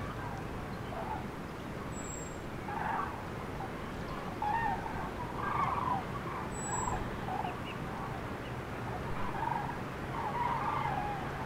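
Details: Flock of common cranes on prenuptial migration, central France, afternoon of 5 March 2016, birds split into scattered groups by rough weather; a chorus of repeated rolling trumpet calls rises and falls over persistent low wind.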